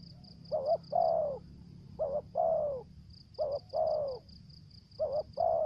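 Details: Spotted dove used as a lure, calling in 'thổ dế' style: four paired coos, each a quick wavering note then a longer falling note, spaced about a second apart, with a pulsing high-pitched whine.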